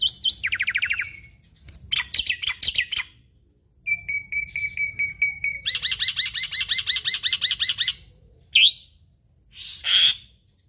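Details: Jalak putih, Indonesia's endemic black-winged myna, singing a varied chattering sequence: a buzzy trill, rapid chirp bursts, a long run of evenly spaced sharp whistles, dense chatter, then two isolated loud squeals.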